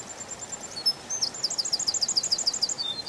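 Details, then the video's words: Canary singing in a spring forest: after a few scattered high notes, a fast run of bright, chirping trill syllables repeats about three times per second over a soft hiss. "Пение канарейки, канарейка поет в весеннем лесу"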